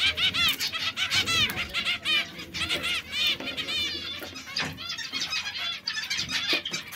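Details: Three canaries, red, yellow and brown, that occasionally squabble, giving varied trills and chirps, softer and broken up, with some clicking noises.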